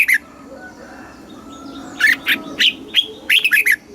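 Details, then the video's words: Red-whiskered bulbul, Thai southern master-style song meant to excite caged birds. A brief note is followed by a pause, then a cheerful run of clear, slurred whistles and quick chirps. "เสียงนกกรงหัวจุก สำหรับต่อ หรือ เปิดให้นกคึก เสียงเพราะๆ"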